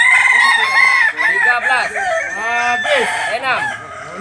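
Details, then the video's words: Kokok Balenggek roosters from Solok, West Sumatra, of the jalak and biriang types: a sustained bright crow opens the recording. It is overlapped by many arching, rising-and-falling crow syllables from more than one bird. "Ayam kukuak balenggek"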